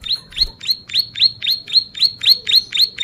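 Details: Bar-winged prinia (ciblek sawah) singing vigorously, gacor style, in a recording meant as a tutor and lure: a quick run of about eleven sharp, down-slurred high notes, roughly four each second, evenly spaced.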